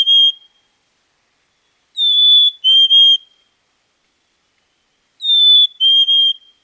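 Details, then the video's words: Black-capped chickadee in Wisconsin giving its clear two-note whistled song, a higher note dropping to a slightly lower one, heard as one partial phrase then two full phrases about three seconds apart against silence. "Wisconsin Bird Sounds - Black-capped Chickadee"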